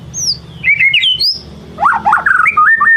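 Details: White-rumped shama singing in the "ngelemak" style as a lure to make another shama unload its repertoire: rich, fluid whistled phrases, first high and descending, then a lower run of rapid, looping warbles.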